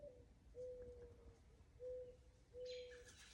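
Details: Mourning dove, unseen and up in trees behind the speaker, gives soft, low, hollow coos, long drawn notes sagging slightly in pitch; locally called a rain crow, said to call when rain looks likely. A brief higher chirp from another bird comes near the end.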